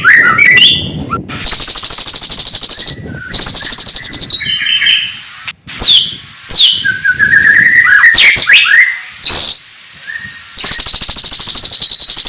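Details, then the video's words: White-rumped shama singing in the morning: loud buzzy, high ringing bursts broken by quick upward and downward whistled sweeps and brief silences. "kicauan murai batu pagi hari cocok buat naikan emosi lawan"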